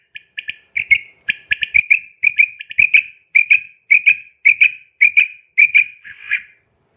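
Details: A Common quail kept at home gives sharp, liquid clipped notes in quick bursts, about two a second, mid-high in pitch, with a few soft knocks in the background.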